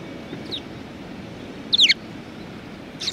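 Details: Sparrows at a Tenmangu shrine, 23 January 2019: a couple of quick, high, downward-sliding chirps, one faint and one loud double note, then another starting at the end, over low traffic-like hum.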